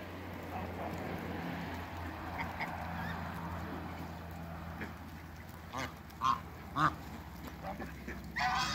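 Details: African and Toulouse geese in a backyard after waterbirds, giving a few short harsh honks in the latter half, about one every half second, over a steady low hum and background noise.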